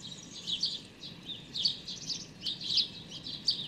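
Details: Hungry young sparrow with very light, nearly white plumage begging for food, watched on 16 May 2019; clustered bursts of shrill, buzzy chirps arriving in uneven groups about once a second.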